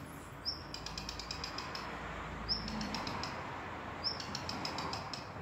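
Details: Songbird recorded around Suwałki, Poland, of unknown species, giving three phrases roughly every one and a half seconds. Each phrase is a sharp high whistled note trailed by a rapid rattle of dry ticks, with constant low rumble behind.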